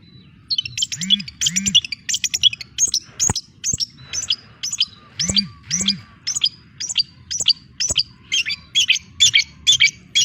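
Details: Young long-tailed shrike, described as full of character, delivering a rapid series of sharp, high chirps and short trills. A few lower arched calls and sharp clicks sound beneath it.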